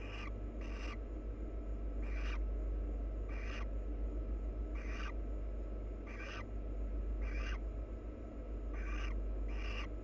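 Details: Wild barn owl pair preening each other: harsh, breathy hissing bursts repeated about every second, each broad and noisy, with a steady low hum beneath.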